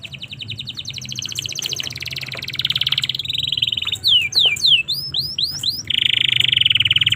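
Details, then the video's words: Domestic canary in a tutoring recording for other canaries: a long rapid ticking trill, then a run of sweeping whistled notes and a dense buzzy roll at the end. "suara burung kenari cocok untuk masteran maupun pancingan kenari paud"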